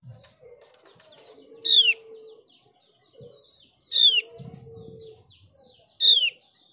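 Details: Mees's white-eye lure sound, played to spur other white-eyes into singing: three loud, sharp, downward-sliding whistled notes about two seconds apart, with a faint low hum and soft rustling between them.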